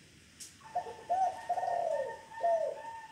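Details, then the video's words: Local 'Kong' style zebra dove giving a quick series of four soft, hollow coo notes over a faint steady background tone. "Kumpulan Suara Perkutut Lokal Kong"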